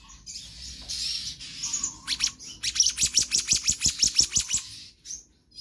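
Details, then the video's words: Black-naped monarch singing hard in the 'konslet' style of a full-variation tutor track: soft high twittering builds into a long, even series of about fourteen ringing staccato notes, then fades. "Kehicap Ranting Gacor Konslet Full Fariasi"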